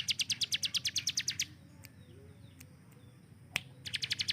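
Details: Hill prinia kept as a tutor bird, delivering its rapid-fire 'tembakan' burst: a fast machine-gun string of high, sharp notes for about a second and a half, a quiet pause with faint clicks, then another rapid volley begins.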